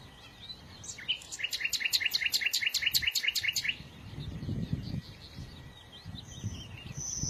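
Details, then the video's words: Bird song with a loud, fast trill of sharp, evenly spaced high notes lasting almost three seconds, followed by quieter twittering and low background noise. "إذا كنت تعشق سماع تغريد العصافير"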